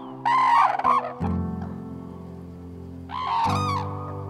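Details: A red-crowned crane in winter in Hokkaido, Japan, gives two loud, ringing trumpet advertisement calls about three seconds apart, part of mid-winter courtship with calls and dances, while low, steady music plays underneath.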